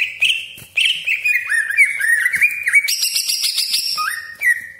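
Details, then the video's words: Greater green leafbird lure song in the 'tembakan tajam' style: a fast, nearly unbroken sequence of slurred whistles, rolling trills and higher buzzy bursts, ending on a rising note. "CUCAK IJO GACOR DOR TEMBAKAN TAJAM BESETAN KASAR ROLL PANJANG FULL ISIAN"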